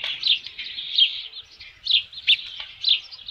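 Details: Osprey at the Dunrovin Ranch nest, 27 June 2018, with a headless fish; separate high whistled chirps come in short clusters roughly once a second, some slightly rising.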